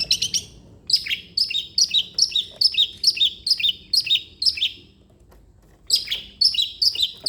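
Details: Long-tailed shrike singing vigorously in a recording meant to spur or train a reluctant shrike into song; bright, sharp chirps, each dropping from a high note to a lower one, fired off in quick runs, a brief pause, then resuming.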